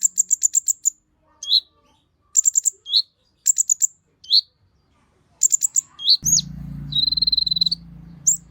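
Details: Agitated singing from an olive-backed sunbird as a lure for others of its kind. Quick bursts of high piercing notes and slurred chips give way to a low humming background and a steady, buzzy, high-pitched trill near the end.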